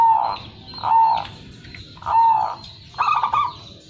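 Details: Prize-winning local zebra dove cooing steadily: three mellow, slightly wavering coos under a second apart, then a quicker rippling trilled phrase to close.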